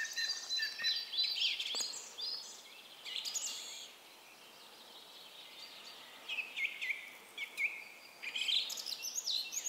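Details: A song thrush sings from the top of a spruce at its summer site, Finland, 13 May 2016: bright, high, chirping phrases in quick bursts, pausing a couple of seconds midway, with faint background hiss.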